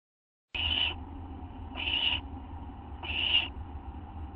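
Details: Owl from a group recorded at night, 11:04 PM on August 24, 2011: three short raspy hissing bursts, each under half a second, spaced about 1.2 seconds apart, over a steady low electrical hum.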